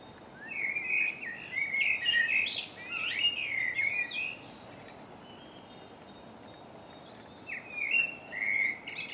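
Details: Dawn chorus of wild birds in MK in March, recorded with a Canon Legria: bright warbled and twittering phrases overlapping, with thin high whistles above, a quieter pause mid-way, then fresh bursts of song near the end over steady background hiss.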